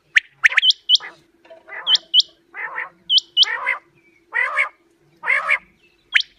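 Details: Quail calls for hunting: bright hooked whistles in pairs alternating regularly with harsh, buzzy, nasal bursts, with a low steady hum in the background.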